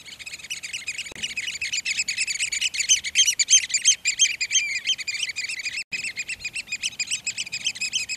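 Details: Several Eurasian oystercatchers displaying at Port Carlisle near Bowness on Solway, Cumbria, recorded through a Canon S95 compact camera on a Swarovski spotting scope: dense, overlapping shrill piping notes in a rapid, excited chorus, with one brief break near six seconds.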